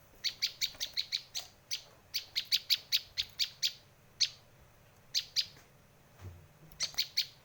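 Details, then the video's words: Bar-winged prinia (prenjak lancur) calling, used for song tutoring and luring birds: sharp, high, clipped chirps in a fast run of about ten notes, then scattered single notes and a closing triplet. "Suara masteran dan pikat burung Prenjak lancur"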